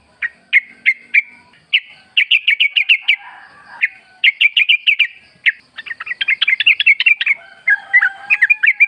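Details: Sooty-headed bulbul, wild, recorded in the forest with natural surroundings as a lure to make other bulbuls sing. Series of sharp repeated chirps in bursts, with several lively overlapping phrases toward the end.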